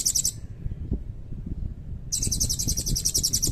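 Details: Serindit, the blue-crowned hanging parrot, sings its nembak style with long cililin fill: a short shrill burst, a pause, then a sustained rapid trill of thin, piercing high notes, with a low rumble beneath.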